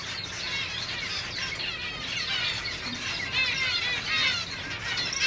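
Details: A gray hen (female) zebra finch (Taeniopygia guttata), recorded in 2019 while being prepared for the upcoming show season, chatters busily in high nasal beeps and squeaky chirps that overlap without pause.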